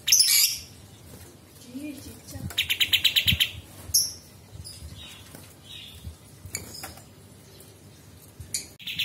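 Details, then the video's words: Sooty-headed bulbul song, used as a tutor recording for magpie-robins, green leafbirds and shamas: short, bright chattering bursts with a quick run of about eight sharp notes near the middle, mostly high-pitched over a faint low rumble. "KAPAS TEMBAK"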